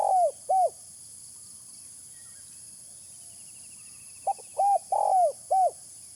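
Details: Spotted dove call used as a bird-catching lure: two rounded coos early, then after a pause a quick cluster of low, hollow coos ending in a longer falling note, over a steady high hiss.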